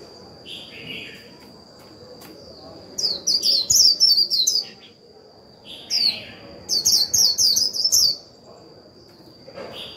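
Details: 'Líu' song from a decoy white-eye kept to provoke wild birds into singing: two clusters of rapid, shrill, descending twitters separated by a pause, with a few softer lower notes between.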